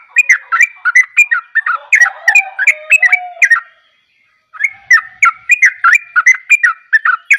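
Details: In gacor style, a yellow-vented bulbul pours out strings of bright, bubbly whistled notes, about three per second. A low steady tone sounds beneath the middle part, then a one-second gap comes before the song resumes.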